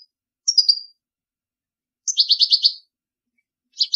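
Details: Goldfinch song intended for teaching chicks: a thin high note followed by a crisp trill of six evenly repeated buzzy notes, then the start of another phrase; clean recording without other noise.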